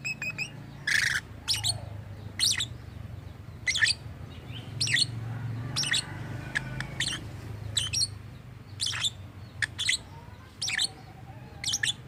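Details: Lovebird making strange sounds, reportedly mimicking human voices: spaced shrill chirps and squeaks over a steady low background rumble.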